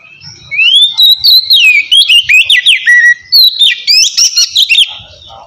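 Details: White-rumped shama in steady, relaxed song used to provoke lazy birds into singing: rich whistled phrases sliding between notes, rising and falling, interspersed with quick sharp chips and trills, delivered loud and nearly continuous.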